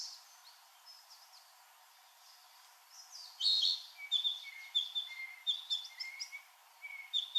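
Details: Male narcissus flycatcher singing in new-leafed forest near Nemuro, Hokkaido, Japan; after a quiet start, clear light whistled phrases repeat about every half second, mixed with higher chirps from other summer birds.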